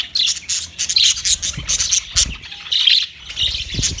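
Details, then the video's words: Several budgerigars on 9 March 2024 chatter in rapid high chirps and squawky notes, bursts packed closely with brief gaps, plus a few soft low knocks. "Relaxing Sound Of Budgies"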